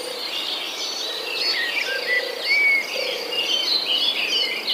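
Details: Chicks in a nest while the mother searches for food, giving a continuous jumble of high chirps and brief slurred whistles, a few clearer upslurred squeaks standing out; insects whine steadily behind them.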